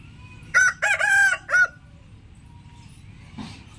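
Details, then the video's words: Single rooster crowing once: a loud rasping cock-a-doodle-doo in three segments, a clipped start, a sustained middle and a short dropping finish, then near quiet with a soft thud at the end. "rooster warning call"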